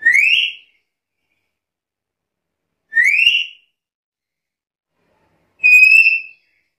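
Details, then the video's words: Black-capped lory repeating a loud whistle three times, about every two and a half to three seconds; the first two rise steeply, the last is flatter and steadier in pitch. "Suara burung nuri kepala hitam gacor isian komplit"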